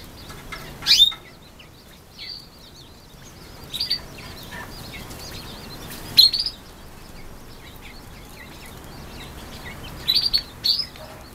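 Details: One-day-old brown quail chicks, recorded in October 2014, giving loud high peeps in scattered bursts, some doubled, with quiet gaps between them and faint softer cheeps in the background.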